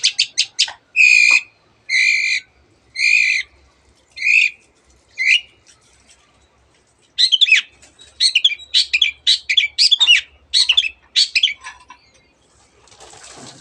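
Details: Long-tailed shrike in vigorous song, packed with mimicry of canary and many other birds: a run of harsh, buzzy, harmonic notes repeated about once a second, then rapid dense bursts of varied chattering and whistled phrases.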